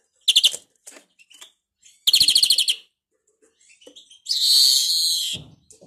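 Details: Greenfinch, its song described as faulty: two quick, rattling trills with a few soft chips between, then a long harsh, drawn-out wheezing buzz lasting about a second.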